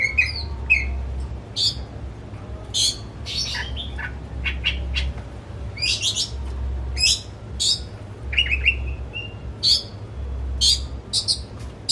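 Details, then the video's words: Pet oriental magpie-robin in a home cage, its song meant to coax a quiet bird into singing: lively series of sharp whistles, sweeping slurs and quick trills repeated throughout, over faint low mechanical hum. "Kicau Kacer Rumahan Emosi Buka Ekor Ngeplong Terus"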